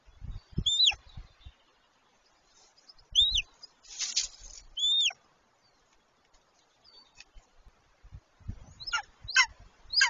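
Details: Golden eagles on their nest during mating in March 2023: a few high, hooked yelps early, a burst of rustling and soft thuds, then a quick run of sharper, clipped yelps near the end.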